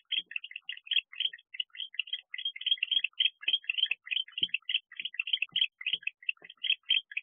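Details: A male barn owl sits in a nest box at 1:19 am on 31 October 2023, agitated as a predator arrives. It gives rapid, continuous high twittering notes with small knocks and bumps beneath.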